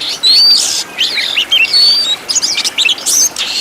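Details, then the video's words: Oriental magpie-robin master song for training caged birds: loud, very high, harsh bursts mixed with thin piercing whistles, phrases coming roughly every half second with brief gaps. "MASTERAN KACER ISIAN MEWAH BIKIN GACOR"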